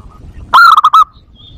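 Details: Zebra dove call used to lure zebra doves and stimulate breeding: one loud, clear, burst of rapid clipped notes lasting about half a second, with quiet background.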